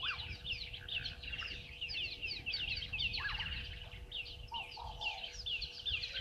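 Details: Red-billed buffalo weavers at the Gowrie dam waterhole on Djuma Game Reserve, South Africa, recorded by live camera mid-morning: continuous squeaky chirping and chatter, several birds at once, a few lower clucking notes toward the end.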